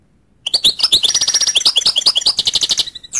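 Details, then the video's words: After a short silence a goldfinch launches into an unbroken stream of rapid, high, tinkling chirps and trills lasting nearly three seconds. "goldfinch sound"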